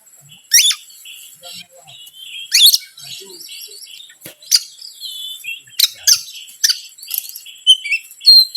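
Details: Oriental magpie-robin song played as a lure to provoke other birds: sharp sweeping whistles and harsh rasping bursts, with soft warbled twitters filling the gaps.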